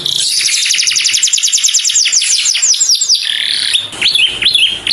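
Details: A saffron finch calls to its companion in a clear voice. A fast trill of repeated downward-slurred notes runs for three seconds, then gives way to a few separate rising and falling whistles.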